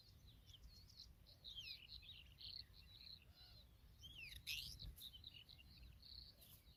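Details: Familiar chat with its newly hatched young: soft, varied high chirps and twittering notes in scattered bursts over faint background noise.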